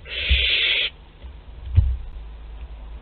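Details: One rough, noisy hiss of under a second from a young barn owl visiting the parents' food store, Théding, France, 10 July 2021, followed by silence and a single dull bump.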